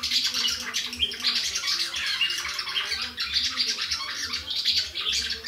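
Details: Several swallows in Gierałtowiec, Poland, on 6 June 2019 twitter in a dense, continuous chatter of high, quick notes and scratchy trills, overlapping with hardly a pause.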